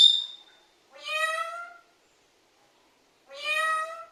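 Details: Pet parrot talking and calling for its mother, repeating a word like "amme": two drawn-out, nasal, voice-like calls with rich overtones, each under a second and about two seconds apart, after a brief sharp sound at the start, in a quiet room.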